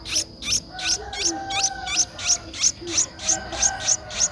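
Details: Eleven-day-old Streak-eared Bulbul nestling recorded 13 April 2023 in Ubon Ratchathani, Thailand, giving a rhythmic series of about twelve short, high, piercing chips, roughly three per second, against a constant high-pitched background drone.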